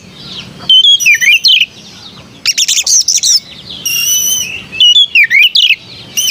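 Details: Melodious song of an Oriental magpie-robin (kacer): repeated loud phrases mixing sweet down-slurred whistles, rapid grating chatter and a sustained buzzy note, each burst separated by short pauses, against a quiet background.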